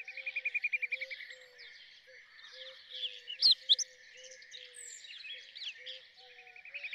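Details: Rose-ringed parakeet: two loud, harsh broadband screeches near the middle, set against a busy dawn-like chorus of other birds with rapid trilling chirps and low repeated whistles.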